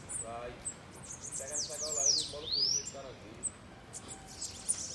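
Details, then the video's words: Campeada-style bananaquit song: very high, sharp arched notes and thin squeaks sounding over a man talking quietly in Portuguese. "PRA DEIXAR QUALQUER SIBITE LOUCO 😱 Campeada com Sibite"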